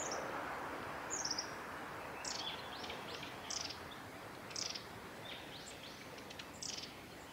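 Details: Long-tailed tits bathing at Kawaguchiko Field Center, Japan, 29 September 2019, give thin, high, short notes and brief buzzy bursts, scattered irregularly about once a second over a steady background hiss.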